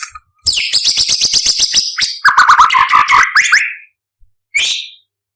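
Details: White-rumped shama contest bird, imported, in full varied song: a rapid train of sharp clicking notes, then a run of bright warbled whistles dropping in pitch, a pause, and one short high note.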